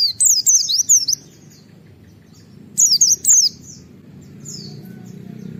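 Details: Wild white-eye giving provoking 'wit-wit' calls: a burst of about six high, sharp whistled chips, silence, then a second shorter burst, with soft low rumble behind.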